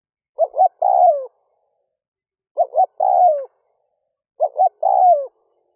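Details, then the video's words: Spotted dove decoy cooing to lure wild doves in the early morning: three phrases, each of short coos running into a long, sliding, falling coo, separated by about two seconds of silence, with no other sounds. "Tiếng chim cu gáy rút bổi nhanh về - kích bổi nhanh nổi"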